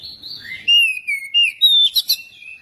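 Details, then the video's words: Magpie-robin song used as a lure to get another bird singing: a short run of clear, slurred whistles falling and rising, with crisp, bright chirped notes near the end. "pancingan kacer biar cepat gacor dan ngobra"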